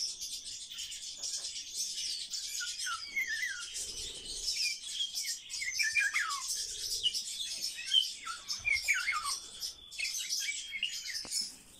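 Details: Pet common starling kept at home giving a rambling song of scratchy chatter, short descending whistles and clicks over a broadband hiss, with a person's voice speaking briefly.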